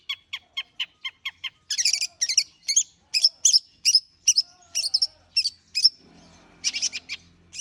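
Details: Long-tailed shrike warming up: evenly spaced thin ticking notes, then louder, harsher chattering phrases repeated at a brisk, uneven pace, trailing off before a final burst, with a soft low rumble late on.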